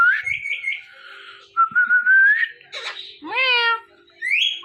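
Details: Male and female pet ringneck parrots making mating sounds in front of a mirror: a rippling high trill, then a long steady whistle, a noisy burst and a harmonic-rich rising squawk sweep, ending with a short upward screech.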